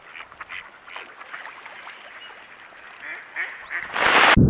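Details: Ducks quacking outdoors, caught on a trail camera or handheld camera; a run of short, nasal quacks repeated several times a second, with a loud bump of handling noise at the end.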